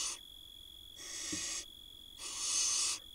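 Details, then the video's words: Barn owl nestlings in an Israeli nest box in 2022, begging while their mother feeds them and a tiny chick swallows a mouse; harsh, breathy hissing bursts under a second long, with a steady electronic hum throughout. "Barn Owl tiny nestling swallows mouse while other get fed by their Mom."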